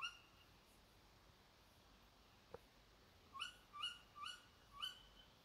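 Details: Behind a house at 4 a.m., a single sharp click is followed by a Tawny owl's run of four quick, shrill rising calls about half a second apart.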